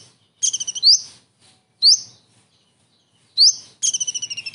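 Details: Kingfisher imitation by a Common iora, full kingfisher material with its distinctive 'shot' calls, used as master song: fast rattling series of high notes, then loud sharply rising slurs repeated at irregular gaps, otherwise quiet.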